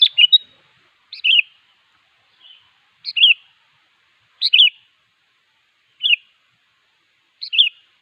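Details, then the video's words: Sooty-headed bulbul (kutilang) singing to call a rival, in clean spaced phrases: a short bright two-part note is repeated about every one and a half seconds against a silent background. "Suara Burung Kutilang Gacor Siap memanggil Lawan"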